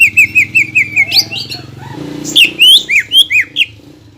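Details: Greater green leafbird, a singing bird used as a lure to rouse rival green leafbirds into song: a string of slurred whistles near the same pitch repeated about five times per second, then higher sweeping notes; faint low hum beneath.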